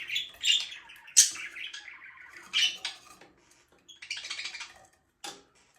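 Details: Pet budgerigar chirping indoors: bursts of harsh, buzzy warbled chatter with sharp squeaky notes, several separate phrases with short pauses between them.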